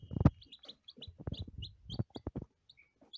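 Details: Lavender Ameraucana chicks on their first day give a run of brief, high, downward-slurred peeps, interrupted by dull low thumps and taps close by.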